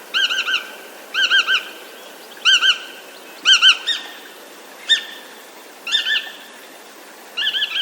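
Bar-tailed Godwit giving nasal, slightly buzzy double and triple notes, about one burst a second, over a quiet background.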